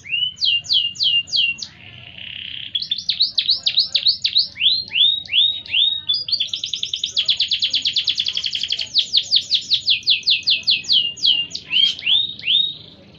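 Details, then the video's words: Canary in full song giving a long, unbroken rolling song of high sweeping whistles and fast rolling trills. Phrases shift every second or two over a faint low hum. "Kenari Gacor Ngerol Panjang"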